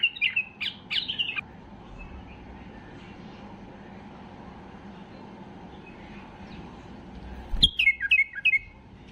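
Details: White-eared bulbul in peak excitement, singing to force other bulbuls to sing: two short bright whistled phrases open, a long quiet hum follows, then a sudden burst of falling whistled notes near the end.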